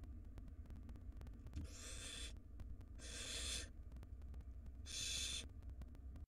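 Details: Wild barn owl nestlings in a monitored nest box while the mother feeds them rodents: three harsh, broad hissing screeches of under a second each, separated by pauses, over a steady low hum.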